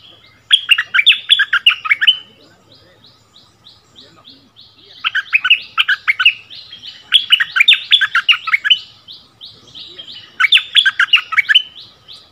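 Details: Cream-vented Bulbul (Burung merbah lekir) song duel between a caged decoy bird returned to its old area and a new resident territory holder. Three bursts of fast, jumbled, descending whistled notes, answered by softer repeated chirping.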